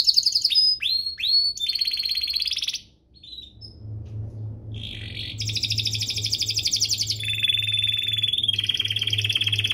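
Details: Song of a domestic canary meant to be imitated by juveniles and to stir other canaries to sing. Quick falling notes and a buzzy trill come before a brief pause, then long rolling trills over a low steady hum.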